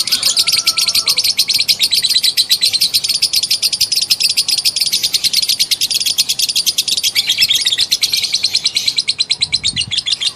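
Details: Female lovebird in a long ngekek trill meant to prompt other lovebirds to sing; dense, high, rapid chattering pours out continuously for ten seconds with only slight shifts in tone, faint thud near the end.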